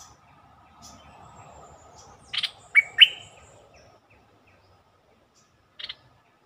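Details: Bulbul song used as a lure to rouse birds: a brief burst of two or three bright, slurred whistles over a faint steady hum, followed later by one short buzzy chirp.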